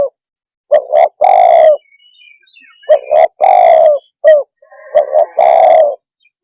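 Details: Spotted dove calling to provoke rival birds: the burry coo phrase, short notes leading into a long rolling coo, repeated three times at roughly two-second intervals, with faint soft chirps between.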